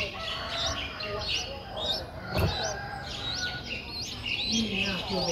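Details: Streak-eared Bulbul nestlings, nine days old, recorded in Ubon Ratchathani, Thailand, 11 April 2023. Repeated crisp upslurred chirps come about twice a second, interrupted once by a brief thump.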